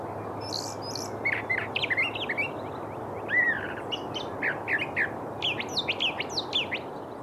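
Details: Brown thrasher (Toxostoma rufum) singing for 39 seconds: a rapid run of varied, slightly nasal phrases, some borrowed from other birds, some chirpy and some slurred, mostly repeated twice, over a soft background hiss.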